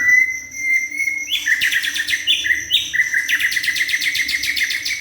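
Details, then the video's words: Juvenile white-rumped shama singing loudly and continuously: a clear sustained whistle, then quick shifting phrases of bright, rapidly repeated chips and trills. "Murai batu junior gacor"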